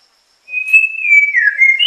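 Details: White-rumped shama singing: a clear whistled phrase, a long steady note that slides down, then breaks into quick warbled notes, ending on a higher whistle.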